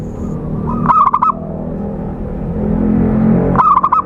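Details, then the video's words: Zebra dove lure call used for trapping birds: two short bursts of rapid, stuttering coos, each a quick run of clipped notes, with a low steady hum underneath. "Suara Khusus PIKAT burung Perkutut/Merbuk Paling Jitu"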